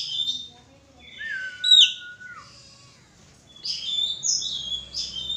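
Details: White-rumped shama in a mating pairing session, with brief high notes, a long falling-then-level whistle, a pause, and bursts of high chirping phrases; low background hum.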